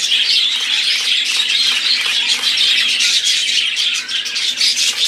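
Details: Group of budgerigars singing together: a thick, high-pitched twittering of overlapping chirps, warbles and short squawks, loud and unbroken.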